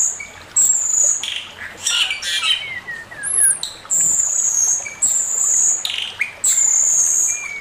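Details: Male Chinese hwamei master song: sustained shrill high whistles alternating with noisy bursts and a descending run of short slurred notes, the long whistles returning about every second.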